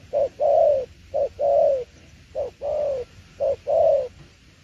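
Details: Spotted dove's "tiểu liên nước" coo: four evenly spaced pairs, each a clipped low note followed by a fuller, drawn-out coo, roughly one pair per second.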